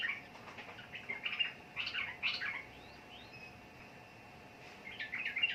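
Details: Sooty-headed bulbul (trucukan) utters scattered short bursts of bright chirps and slurred notes, with quiet gaps between phrases and a soft background hiss.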